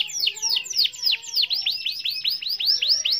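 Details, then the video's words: Canary giving a rolling rival-calling song: a steady series of about fourteen high, downward-then-upward swept whistled notes, roughly four per second. "SUARA BURUNG KENARI GACOR NGEROL PANJANG MEMANGGIL LAWAN"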